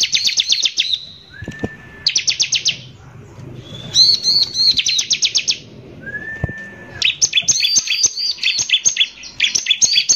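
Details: Bar-winged prinia pouring out rough 'nembak kasar' song for provoking other prinias: clipped bursts of fast high chips alternate with smooth rising whistles, ending in an unbroken run of ringing notes.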